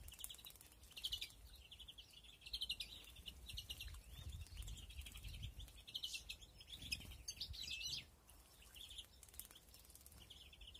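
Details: Aviary-bred European greenfinches at their nests in 2021. Continuous buzzy twittering and trills, with wing flutters and low rumbling, fading to sparser notes in the last seconds.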